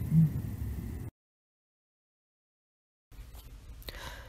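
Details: A brief low murmuring voice-like sound, then two seconds of complete silence, then faint broadband noise with a short click.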